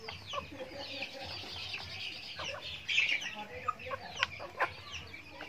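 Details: Feeding chickens on a backyard farm, overlapping chirps and clucks with a louder rough squawk in the middle, then several sharp isolated clucks.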